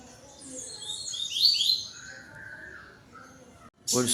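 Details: A yellow-billed double-collared seedeater sings toward another bird at 17:31 on 12 November 2025 as dusk falls: a quick burst of high, sweet chirps, then a lower drawn note, before a voice cuts in at the end.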